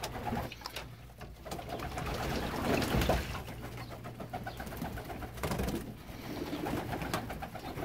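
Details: Low, soft cooing from young homing pigeons keeps rumbling along, mixed with splashing water and bursts of wing flapping; recorded in Baden in 2019.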